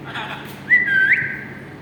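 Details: Pet talking parrots indoors; a loud clear whistle rises and holds steady for about half a second before a quick upward flick, after a brief softer vocal sound.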